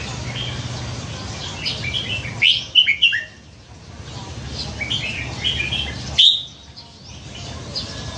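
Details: Hand-reared red-whiskered bulbul from a canal-side tree, kept caged and famed for varied song; a rapid phrase of several sharp whistled notes around two and a half seconds, softer warbles and one loud note near six seconds.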